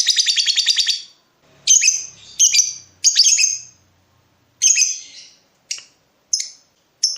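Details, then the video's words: Lovebird calling to a rival in breeding mood, opening with a rapid rattle, then harsh grating squawks and short high chips at irregular gaps. "BURUNG LOVEBIRD MENCARI LAWAN || LB MANAPUN PASTI NYAUT BUNYI"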